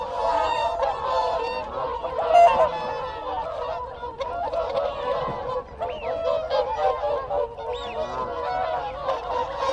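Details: Close-up group of whooper swans giving contact calls: a dense, overlapping chorus of nasal, trumpeting honks, with rising-and-falling whistles of wigeon and honking Canada geese calling in the background.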